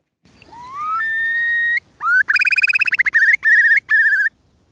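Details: At a nest that has just hatched, a female Eurasian Curlew calls her chicks back, perhaps to brood them: a rising whistled note that levels off, then a fast bubbling trill and several short, clear, loud whistled bursts.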